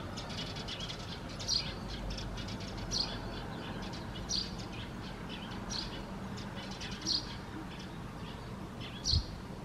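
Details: Fledgling Eurasian tree sparrow, already independent of its parents and not being fed, recorded on 3 June 2024, giving short high chirps about every one to one and a half seconds over a steady background hum.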